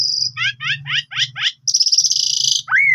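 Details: Asian pied starling singing nonstop as a lure to set other birds singing: a clear descending whistle, then five rapid rising chirped phrases, a sustained buzzy trill and a final arched whistle, over a faint low hum.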